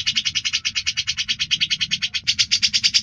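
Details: Grey-cheeked bulbul singing clear ngebren song for training contest birds: a rapid run of harsh, evenly spaced notes, roughly eight per second, briefly faltering then carrying on slightly louder.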